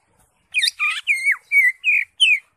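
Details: Greater green leafbird singing ngentrok style: six bright notes, the first ones rich and warbled, followed by clear slurred whistles that fall in pitch, spaced about a third of a second apart.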